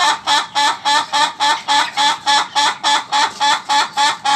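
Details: Steady laughing crow of an ayam ketawa (laughing chicken): around sixteen bright, cackling pulses at an even, rapid tempo, sounding like continuous chuckles.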